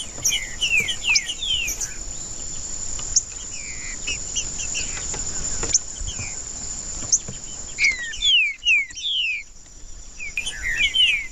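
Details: Green-winged saltator singing in the bush: short bursts of clear, slurred whistled notes, several rising and falling swoops per phrase, with pauses between bursts, over a steady high insect buzz and a few sharp clicks.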